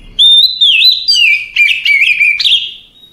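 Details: Oriental magpie-robin sings a leisurely nighttime phrase: a bright, fluting whistle followed by quick, twisting warbles and short trills that slowly soften toward the end, with no other sounds.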